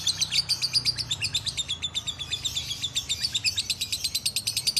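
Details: Lovebirds in an ombyokan, a group kept together, in full gacor chatter: a dense, rapid stream of high, sharp chirps about six per second, pulsing steadily throughout, with a faint low hum underneath.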